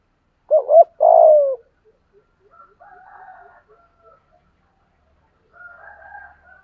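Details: Spotted dove kept as a decoy bird to lure wild doves, voice style called giọng thổ: two quick wavering coos, then one long loud coo sliding down. Fainter, higher cooing from other doves follows.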